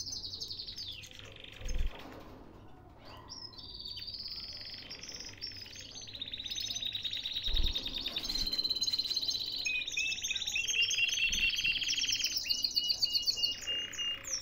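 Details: Captive canary in Baghdad, Iraq: a high thin opening phrase, then extended warbling trills that shift pitch in steps, growing louder and ending in rapid pulsed rolls; occasional faint knocks.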